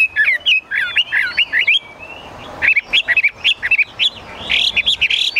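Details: Chinese hwamei, a cage bird, singing short clusters of sharp, twittering whistles separated by brief pauses, over a noticeable hiss of background noise.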